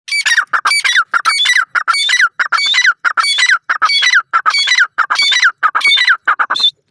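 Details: Grey francolin chicks at play, calling in India: loud, harsh, squawking notes in rapid, closely packed bursts, each sweeping downward, repeated about ninety times a minute with short gaps between runs.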